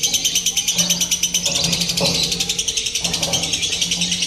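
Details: Lovebirds chattering during a contest simulation meant to build competition nerve: a steady, high, rattling trill in quick pulses, with a man's low voice talking underneath.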